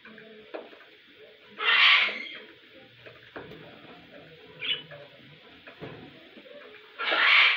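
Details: A budgerigar taking a shower gives short, harsh chirping bursts over a steady hiss of running water.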